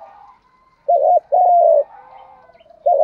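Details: Spotted dove giving a "thúc gù" lure coo. A short hooting note is followed by a long, level, slightly falling coo, and the next phrase starts at the end.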